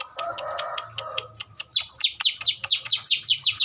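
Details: Long-tailed shrike singing with mimicked notes of many birds, opening with a low rough churring, then a rapid regular series of sharp downslurred chirps, about four per second.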